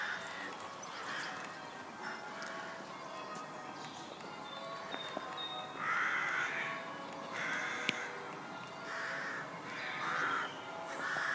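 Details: Rooks in Pulford, Chester, England, on 20 May 2018 give harsh, grating caws in bursts every second or two, with other birds and faint St Mary's church bells ringing in the background.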